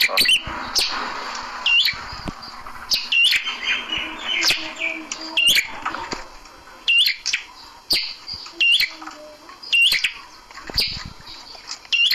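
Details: A red-headed prinia, hung outside in its cage to tame it quickly, gives sharp, high chipping notes, some with a quick upward hook, about every half-second to second, with soft clicks and a faint hum.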